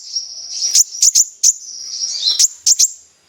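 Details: High, thin sunbird song in full besetan style, played to lure sunbirds into singing: a sustained needle-like whistle broken by a few sharp downward-flicking chips.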